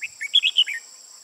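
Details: Red-whiskered bulbul, an old 'mí lửa' bird with fiery eye markings on both sides, used as a decoy to trap wild bulbuls, 15 June 2018: a quick burst of about six bright, chirpy whistled notes lasting under a second over a steady insect hum.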